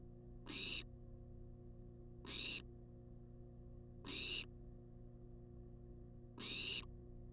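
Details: A wild barn owl demands food inside a research nest box; four noisy, rasping hiss-screeches, each lasting under half a second, roughly two seconds apart, low hum beneath.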